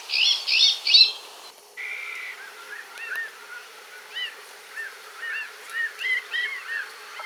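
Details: Iberian Magpie, a very gregarious bird of the Iberian Peninsula in Portugal that gathers by the hundreds at winter roosts: a few harsh bursts, then a string of short rising-falling whistled notes repeated rapidly and unevenly, some overlapping as from several birds.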